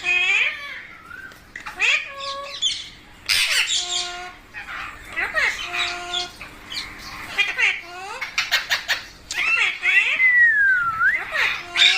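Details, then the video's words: Green pet parrot, called mitthu, chattering with wavering whistles, steady tonal notes and harsh bursts, a person talking to it nearby. "Funny Parrot Sounds"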